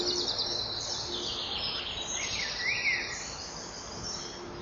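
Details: At 05:41 on 6 June 2014, a nest-wall camera catches a male common kingfisher calling loudly on landing at the front perch by the burrow, with a juvenile close by. Several sharp, high, arching notes sound over constant hiss.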